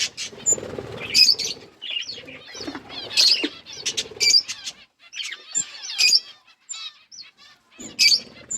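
Budgerigars chatter in bursts of bright, scratchy chirps and warbles, with sharp high squeaks every second or two; several birds seem to call together.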